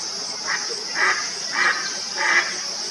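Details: Indian spot-billed duck near Aurangabad, India, giving a series of harsh, quack-like calls, five in three seconds, each short and evenly spaced about 0.6 seconds apart, over a constant high-pitched insect drone.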